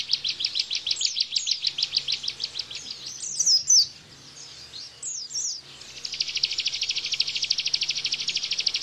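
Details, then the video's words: High, fast chipping series from a bar-winged prinia, 'tembakan' song for cage-bird tutoring, giving way to a few loud slurred whistles, then a very rapid, buzzy rattle of evenly spaced notes. "Tembakan Ciblek Bren"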